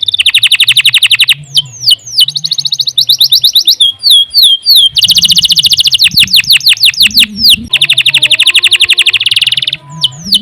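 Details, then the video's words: Long gacor canary song meant as masteran tutoring material: dense high trills alternating with swooping downslurred whistles and quick rattling notes. Delivery is nearly continuous for ten seconds over a faint low hum. "CANARY GACOR PANJANG UNTUK MASTERAN LANGSUNG NYAUT"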